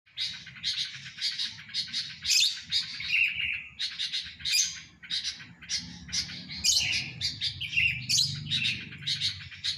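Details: Sooty-headed bulbul swaying while singing; bright, chirpy bursts of notes come in quick repeated phrases with short pauses, a few slurred whistles mixed in, over a faint low rumble.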